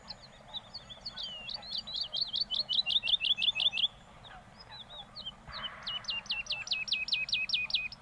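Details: Woodlark (Lullula arborea) song recorded in Castricum, the Netherlands: a quick rippling phrase of repeated high notes, a pause, then an evenly spaced series of sharp, downward-slurred whistles.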